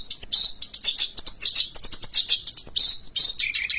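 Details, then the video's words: White-browed Oriental reed warbler (kerak basi alis putih) singing in the lively, continuous rolling style called gacor ngerol: rapid harsh chattering notes with buzzy churrs and squeaky whistles, pulsing several times a second without pause. "Kerak basi alis putih gacor ngerol"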